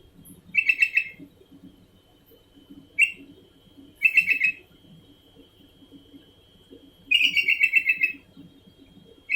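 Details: Sooty-headed bulbul calling continuously: short bubbly phrases of four or five quick whistled notes, about half a second each, repeated four times at irregular gaps of one to three seconds over a faint steady high tone.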